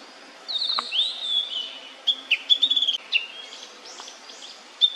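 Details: Immature Blue-and-white Flycatcher, feeding time. A thin rising whistle is followed by scattered sharp slurred notes and a brief quick stutter of chips, high-pitched and clear over a quiet background.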